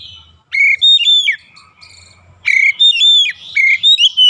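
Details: Oriental magpie-robin in daily training for long rolling song, giving loud clear whistled phrases with rising and falling slurs in two bursts separated by a brief quiet pause.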